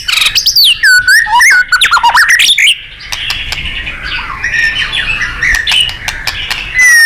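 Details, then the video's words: White-rumped shama singing 'gacor' for contest-bird training: loud fluting whistles and downward sweeps open the passage, followed by a softer stretch of rapid twittering and scratchy chatter. "Murai GACOR & NEMBAK ...FULL POWER & FIGHTER"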